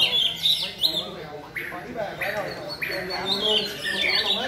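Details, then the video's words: White-rumped shama delivering rhythmic song: sharp rising whistles and brief squeaky notes set apart by short gaps, with a steady high-pitched background hiss throughout. "Mỏ đuôi cánh đồng bộ (shama bird)"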